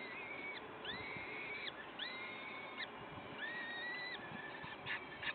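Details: Peregrine falcon at the nest, Wakefield, 5 May 2021: long arched, slightly rising wails repeated about once a second, followed by a couple of short sharp notes, over broadband background noise.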